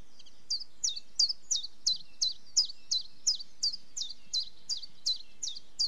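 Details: A common chiffchaff delivers a long, even series of about fifteen high, abrupt down-slurred notes, nearly three per second, with a steady rhythm and little background sound.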